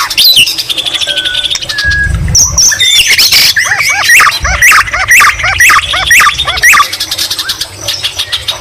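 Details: White-rumped shama in full song with greater green leafbird imitations; a couple of clear level whistles lead into a busy stretch of repeated arched, chip-like notes, about two per second, amid high twittering.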